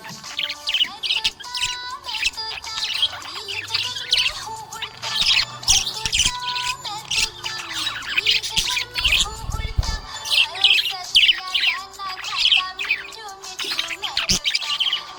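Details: Cheerful budgie chirping, a continuous stream of high, twittering and squeaky warbled notes with occasional harsher squawks, carried over a background of music.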